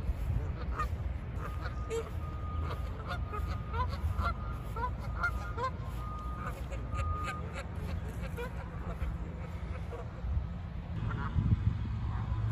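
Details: Canada geese landing and flying off, giving scattered nasal honks in the first few seconds over heavy low rumble, with a steady thin whistle-like tone running through the middle.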